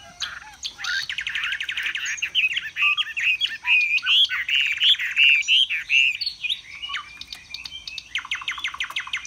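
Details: Caged Chinese hwamei singing loudly and at length: a rich, varied stream of clear whistles, rapid trills and looping warbled phrases, some notes repeated quickly in runs, ending in a fast series of sharp chips.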